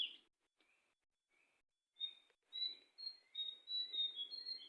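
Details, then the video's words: Wild sooty-headed bulbul giving a loud opening note, soft pauses, then a lively sequence of clear whistled and slurred phrases at two pitch levels, delivered in quick bursts over faint background rustle. "suara asli burung jongkangan di alam liar"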